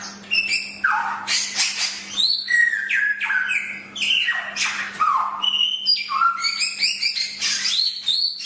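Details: Chinese hwamei singing a song recorded for training other birds: loud falling whistles and level fluted notes interleaved with harsh rasping chatter, phrases following in quick succession, with a low hum audible beneath.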